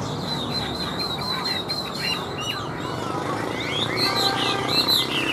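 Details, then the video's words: Tame caged Chinese hwamei singing while set on a table: varied whistled phrases, short rising and falling slurs repeated quickly, with a steady low background hum and a faint human voice. "Họa Mi Hót"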